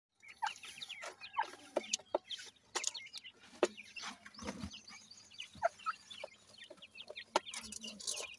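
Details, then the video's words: Grey francolin chicks, called dakni teetar, feeding: many thin, high chirps and short rising peeps overlap throughout, mixed with sharp tapping clicks. "partridge tetar ,Teetar ki Bache,dakni Teetar Chicks Feeding"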